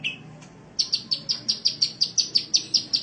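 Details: Caged sunbird on a training recording for cage birds, Indonesia: after a short faint whistle, a rapid run of sharp, high chirps, evenly repeated about five per second.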